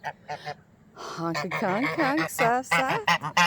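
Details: Easter, a mostly white male domestic goose at a bird rescue centre on 23 July 2020, gives a run of soft, nasal honks, short and quick with wavering pitch, as a woman talks quietly and affectionately to him.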